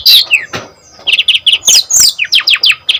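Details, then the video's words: Lively brown-chested jungle flycatcher song, used as a lure to set other birds of its kind singing and as tutoring material; rapid sequence of short sharp chirps and steep downward-sliding whistles, densely packed with brief pauses. "DENGAR SUARA SRDC GACOR INI PANCINGAN JITU MASTERAN SRDC BAHAN"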